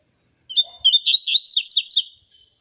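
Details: Warming-up song of a double-collared seedeater, a steady thin whistle opening into a quick chain of loud, downward-slurred chirps, roughly seven notes, ending with a faint trailing whistle.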